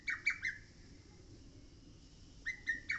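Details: Song of a lesser cuckoo on Mount Oike: three quick, strong whistled notes, about one and a half seconds of quiet, then three more notes starting a new phrase.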